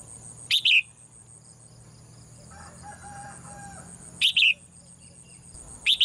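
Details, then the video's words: A female bird kept in a cage calls in the morning with double chirps, a short note then a longer bright one, heard three times, with a soft low murmur between calls and a constant faint hum. "เสียงนกร้องเจี๊ยก ๆ ไพเราะมาก"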